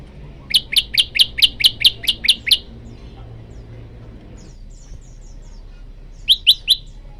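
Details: Male olive-backed tailorbird calling to a female: a rapid series of about nine sharp, high chirping notes, a pause with faint soft chips, then three more loud chirps.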